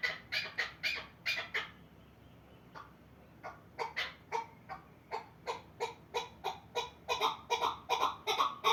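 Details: Chukar partridge from the Pamirs giving a long series of harsh, clucking chuk notes, several per second. A brief pause comes in the middle, then the notes build again into a faster, louder, rhythmic run. No other clear sounds.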